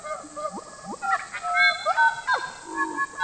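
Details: Song of a Papuan butcherbird used as a lure for birds in the forest: rich, mellow whistles and quick slurred notes in varied phrases, with a constant thin high hiss behind.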